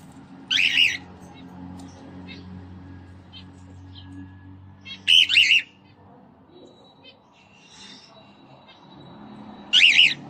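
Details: Cockatiel kept as a pet, said to sing, dance and play, lets out three rough, squawking bursts a few seconds apart over a faint low background hum and a few soft ticks.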